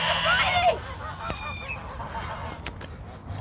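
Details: Geese fighting, giving harsh, raspy honks in a loud burst over the first moment, then quieter scattered calls and background noise.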